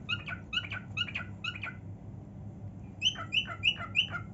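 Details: Pet female cockatiel singing happily in her room: a series of bright, harmonic whistled chirps repeated rapidly, pausing briefly, then resuming with higher, sharper notes, over a low indoor hum.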